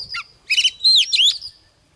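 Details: Female Oriental magpie-robin singing to arouse males, giving a short phrase: a thin whistle, then a scratchy chattering burst, then two loud, clear whistles, one slurred down and one sweeping upward.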